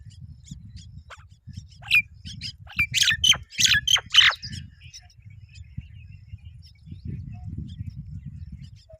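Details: Both Myna parents come to feed their babies; a burst of loud harsh squawks and chirps in the middle, over steady low rumbling background noise, with scattered faint high calls.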